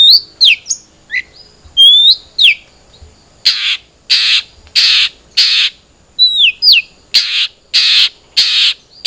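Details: Lure recording of long-tailed shrike song meant to get a caged bird singing fast: clear downslurred whistles alternating with harsh, rasping noisy bursts repeated about every half second, plus a few thin rising notes.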